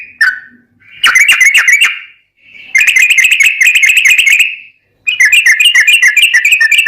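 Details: Yellow-vented bulbul performing long ropel song to train caged birds: one slurred note, then three bursts of very rapid, tightly packed whistled trills, separated by brief silences.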